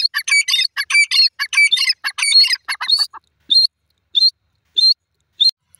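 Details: Female Iranian teetar, or francolin, calling. A rapid burst of sharp, high chirping notes lasts about three seconds. Then four short clear notes follow, spaced roughly every 0.6 seconds. No other sounds are heard.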